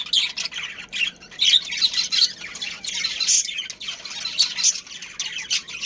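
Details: A breeding pair of budgerigars with their family give scattered high chirps, squeaks and scratchy warbling notes, with the birds overlapping irregularly.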